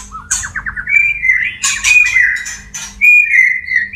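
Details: White-rumped shama male in courtship song to a female. A quick rising run of whistled notes opens into sustained clear whistles, broken by brief harsh buzzes, with a low background hum.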